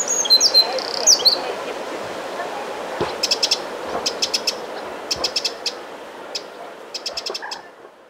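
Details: Eurasian wren alarm calls by Lake Vänern, Sweden, late July 2017: dry, hard ticking notes in quick bursts of three to six, repeated every second or so, over steady hiss; thin whistles open the recording.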